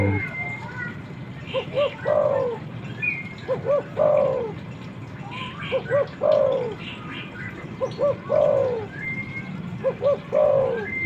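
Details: Spotted dove, male calling a female, meant to draw wild birds in. Five regular phrases, about every two seconds, each two short hoots and a long falling coo, with faint chirps behind.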